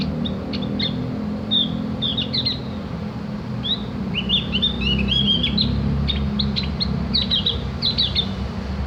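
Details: Javan grey-throated white-eye, locally called opior jawa or cak gentong, used as a master song for training birds to sing: high, thin twittering and short whistled slurs in quick irregular bursts over a steady low hum.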